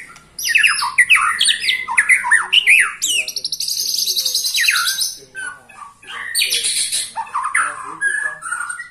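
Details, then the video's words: Twenty-one-year-old white-rumped shama in energetic full song, mixing fast strings of sharp slurred notes with a long high rattling trill in the middle and more chattering phrases after a brief pause. "Murai batu ini ternyata usianya 21 TAHUN Gaya main masih NGOTOT"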